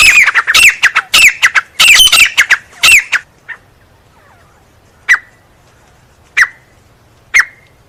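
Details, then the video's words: Grey francolin producing a burst of loud, grating squealed phrases, then falling quiet apart from a few isolated sharp notes spaced about a second apart. "Teetar Ki Awaz"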